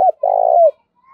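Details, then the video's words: Spotted dove in thúc-style calling played as a decoy lure for wild doves; a short note cut off at the start, then one sustained low buzzy coo that slurs downward at the end. "tiếng cu gáy THÚC mở lên bổi nhanh nổi và mồi gáy theo cả ngày"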